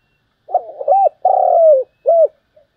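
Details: Spotted dove giving the 'thúc gù' coo prized in a lure bird: gurgled opening, two curved notes, a long rippling note dropping in pitch, then a short arched coo and faint trailing sounds.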